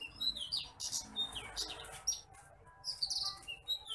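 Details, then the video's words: Bush lark called titimplik, masteran recording with its fine, small whistle: varied high thin whistles, slurred notes and quick chirps, ending in a short rapid twittering run. "MASTERAN BURUNG BRANJANGAN APUNG (TITIMPLIK)"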